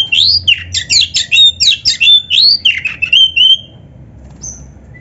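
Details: Kacer, the oriental magpie-robin, singing in full voice as a training master for young or quiet birds: quick run of looping whistled notes and harsh scratchy phrases, tailing off into a few thin high whistles.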